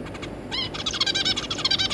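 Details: Zebra finches, parents together with their three juvenile chicks, making a burst of rapid nasal stacked calls that thicken into fast chattering.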